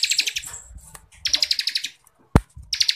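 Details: Bar-winged prinia (ciblek kristal) ngebren song used to train contest birds: short bursts of fast high pulsed notes over a steady low murmur of background noise, with a single sharp click between phrases.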